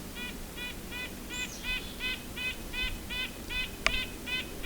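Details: Red-breasted Nuthatch close by during a winter Christmas Bird Count in Ontario gives a quick, steady run of nasal, tinny 'yank' notes, about three per second, over a low rumble and one sharp click.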